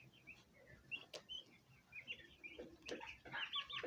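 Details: Repeated high, thin chirps of young turkey poults, rising in density toward the end, mixed with light tapping and rustle.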